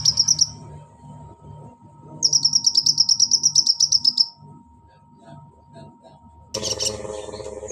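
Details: Pygmy cupwing, a female calling to a male: a short high trill, a pause, then a longer even trill of about twenty quick pulsed notes lasting two seconds; a broad noisy burst follows near the end over a steady hum.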